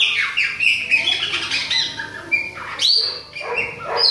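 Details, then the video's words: Adult and young Chopi blackbirds, Bahia type, sing warbling whistles with downward slurs, then a sharp upward-sweeping note and bright high whistles. "FUMAÇA E FILHOTE PÁSSARO PRETO BAIANO COMANDA OUTONO !"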